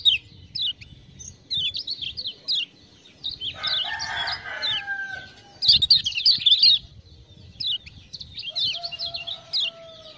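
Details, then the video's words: Kecial kuning, the lemon-bellied white-eye of Lombok, in lively full song after ciak-ciak prompting: rapid bright chirp runs, a lower warbled passage around the fourth second, then more high chirps and a thin steady whistle. "Kecial Kuning joss gacor"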